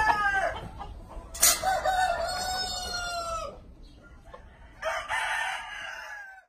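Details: A mini farm breed rooster gives one long drawn-out crow, a harmonic note that holds steady and then slides slightly down before breaking off. A short burst of noise comes before it, and a later noisy burst follows.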